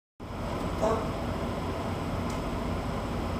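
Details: Steady broadband rumble like a running vehicle or air conditioner fills the recording after a brief silent start, with no animal voice heard.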